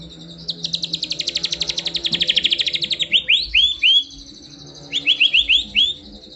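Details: White-rumped shama song: a fast train of about twenty sharp, high buzzy notes accelerating then slowing, followed by clear downslurred whistles in quick groups, with a faint low hum beneath.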